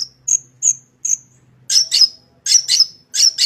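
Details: Long-tailed shrike in full fill-in song for training other shrikes. Spaced high sharp chirps give way to louder, harsher doubled notes. A low hum sits in the background.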